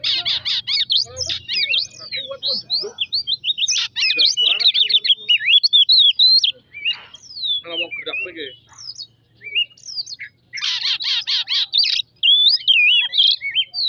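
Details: Lure song of an Oriental magpie-robin, played to stir other birds into singing: long, rich, varied whistling with rapid trills, chattering bursts and some lower harsh notes. There are brief pauses between phrases.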